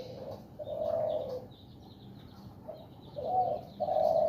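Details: In a bamboo dome cage, a zebra dove cock in breeding condition gives mellow low coos, one drawn-out and then two quick closing notes, with faint high chirping of other birds behind.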